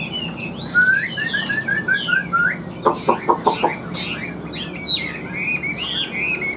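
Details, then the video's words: Chinese hwamei, large and yellow-legged with a yellow bill, singing a descending run of short whistles, then a burst of rapid harsh chattering pulses, then high varied whistled notes. "Chim Họa Mi Hót Vẩy Đuôi Khướu"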